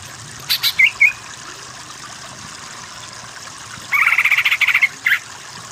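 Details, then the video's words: Training song of a greater green leafbird for birds lacking power: a few quick whistled notes, a pause, then a fast buzzy rattling trill ending in a single sharp note, over soft background hiss. "Masteran Burung Cucak Ijo yang Kurang Power Jadi Kejer Kejer"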